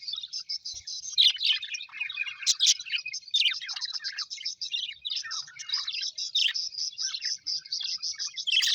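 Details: Happy pet Australian budgerigars chirping: a dense, continuous chatter of quick high twittering notes and short warbles, with brief louder squeaky bursts near the third second and again at the end, several birds overlapping throughout.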